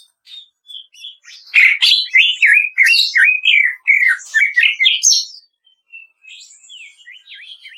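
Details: Greater green leafbird song, kretekan style, used as master audio to make captive birds sing: soft notes build into a fast run of loud downslurred whistles, then thin high slurred notes.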